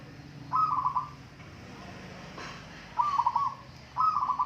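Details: Rhythmic trilled cooing from a local zebra dove competing in a song contest, three short bubbling phrases of rapid pulsed notes, the later two closer together, against faint steady background hum.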